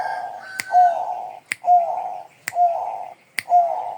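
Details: Rapid, regular cooing from a Bangkok-type zebra dove: four mellow rolling phrases with brief rising openings, each preceded by a loud dry click.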